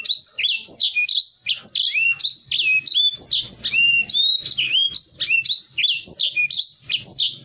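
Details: Clean recording of a caged Black-throated canary singing energetically as a tutor for other cage birds: continuous quick-fire high whistles, each note a sharp down-slurred sweep, run together in a bright, chattering flow.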